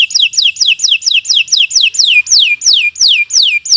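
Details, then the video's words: Canary song, a lure to start other birds singing: a steady series of about fifteen clear whistled notes, each sliding downward, gradually slowing and lengthening. "Kicau Burung Kenari 151 II LUAR BIASA GACOR PANJANG Cocok untuk Masteran"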